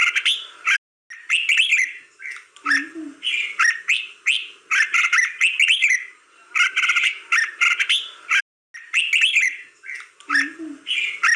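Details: Red-whiskered bulbul song of rapid, warbling whistled phrases repeated almost without pause, cut by sharp clicking ticks, with short low wavering notes twice and two sudden breaks of silence.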